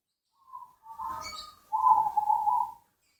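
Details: Zebra dove, called perkutut, giving a short low cooing phrase: a brief soft note, then a longer warbling coo and a sustained rolling coo.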